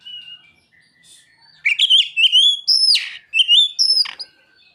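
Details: Oriental magpie-robin song filled with mimicked ciblek and sogon phrases: after soft faint notes, loud clear whistles slide and rise, broken by sharp downward-sweeping notes, in quick uneven bursts.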